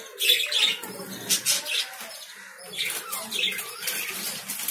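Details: Lovebirds give bursts of high, scratchy chirping, with a brief pause in the middle before the chattering resumes.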